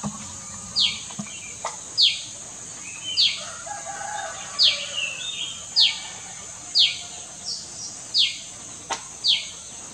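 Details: Common tailorbird, a small, loud bird resident behind a house at Doi Chorakhe, Mae Chan, Chiang Rai, recorded 26 June 2018. It gives sharp, high, down-slurred notes about once a second over a steady high insect drone, with faint other birds.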